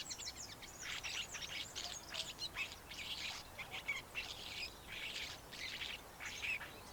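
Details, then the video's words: Cape sugarbird giving a run of scratchy, grating chips and harsh notes in quick bursts, high-pitched and jumbled, with a faint steady background hiss. "Cape Sugarbird"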